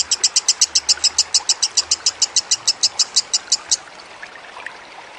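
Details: Lovebird, from a training recording with trickling water, delivers about 22 shrill high chirps at a brisk even pace, then stops abruptly, leaving soft background hiss.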